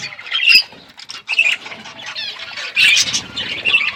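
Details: Parrots eating food, recorded February 25, 2024: sparse, scratchy chirps and short squawks in separate bursts, with quiet gaps between them.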